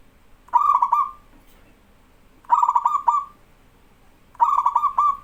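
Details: Zebra dove of a local line, used as a song tutor, coos repeatedly: quick stuttering pulses running into held notes, phrases following closely about every two seconds.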